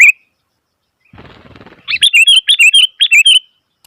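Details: One sharp chirp from a noisy Sooty-headed bulbul, then a scratchy rustle, then a rapid string of about seven loud, repeated slurred notes.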